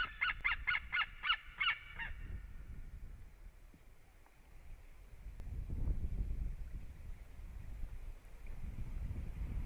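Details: Calling at a Latvian white-tailed eagle nest on 7 March 2017 at 15:27, the male arriving for a reunion with the female. A rapid run of about seven sharp, yelping notes in two seconds, then wind-like rumbling.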